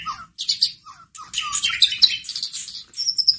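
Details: White-rumped shama song played to provoke a caged bird into singing: dense bursts of high chirps, trills and rasping notes with a few lower whistled slurs, almost continuous through the short clip.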